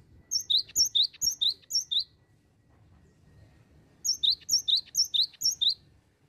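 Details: Cinereous tit, a nonstop singer used to draw in others of its kind: two bursts of rapid high double notes, bright upper tone then lower upslur, about five phrases each, split by a silent gap of two seconds.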